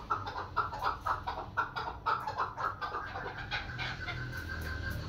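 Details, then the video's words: Female chukar calling: a run of short, hoarse chucking notes repeated about twice a second, mid-pitched and slightly rough, becoming softer and looser toward the end, with low background rumble. "مادی چکور کی اواز"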